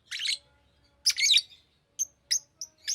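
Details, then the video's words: Chirping of a green lovebird, a few harsh squeaky bursts followed by short bright high chirps, spaced unevenly over a few seconds. "Green Lovebird Chirping Sound"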